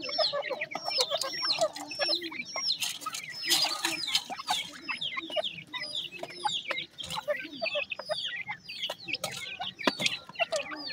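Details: Several grey francolin chicks (teetar) chirping nonstop with quick, thin, upslurred peeps and soft clucking notes, busy and overlapping, with scattered rustling sounds.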